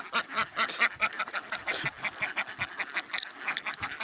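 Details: Wild duck in Gia Lai giving a rapid run of harsh, nasal quacking bursts, several each second, continuing steadily with no other clear sounds.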